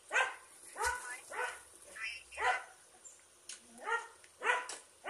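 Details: Turkey giving a series of loud harmonic calls, each arching up then down, repeated roughly every second with short gaps between them.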